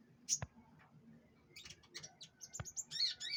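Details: During pengembunan, a canary produces short high chirps mixed with sharp clicks, building into quick rising whistled notes and a brief warbling phrase at the close.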